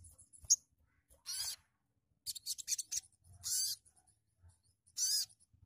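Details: Sogon bird giving harsh, hissing buzzy bursts about every second, each lasting a fraction of a second, mixed with short scratchy clicks and one sharp high note near the start.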